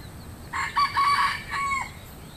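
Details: Rooster crowing in the countryside: one loud, harsh crow of several stepped, buzzy syllables, ending in a drawn-out, slightly falling note, lasting about a second and a half over faint low background hiss.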